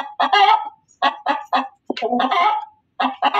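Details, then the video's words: Loud hen cackles: separate harsh clucks, then a longer strained squawk, and after a silence a fresh pair of strident notes. "suara ayam berkokok betina"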